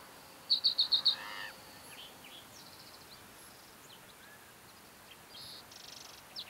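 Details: Green-tailed towhee in song one June morning at Mesa Verde, Colorado: a loud run of five quick high notes followed by a lower buzzy burst, then long quiet with faint distant notes and a soft trill near the end.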